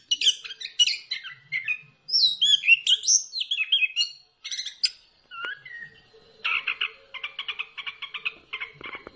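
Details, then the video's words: Orange-headed thrush singing a rich varied song to stimulate other birds: tumbling whistled and chirped notes, then a long, fast, rattling series of repeated harsh notes. "pancingan ampuh! punglor kembang | merangsang burung cepat gacor"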